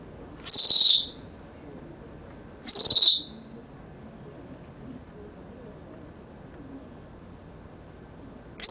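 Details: A seven-year-old male Senegal parrot gives two loud, shrill, high whistles about two seconds apart, each lasting roughly half a second, and a third whistle begins at the very end. The room is otherwise quiet.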